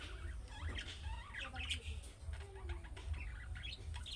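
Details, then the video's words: Young budgerigars' calling-style chirps, said to make other pet budgerigars reply: soft, scattered, rising and falling chirps and short twitters, fairly quiet, over a low background hum. "MUHABBET KUŞU SESİ Kuşunuz Bu sese Karşılık Verecek Kuş Sesi"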